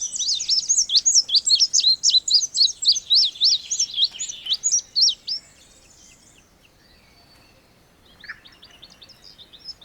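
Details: Indigo bunting song: a fast series of high, sharp, paired and slurred notes repeated for about five seconds, then quiet with faint distant chirps near the end.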